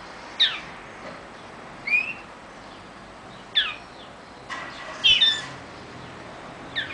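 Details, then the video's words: Young male hybrid from a male common linnet crossed with a female European greenfinch gives short, bright twittering chirps and squeaky notes in bursts every one to two seconds, over soft hiss. "Hybrid Pardillo x verdone"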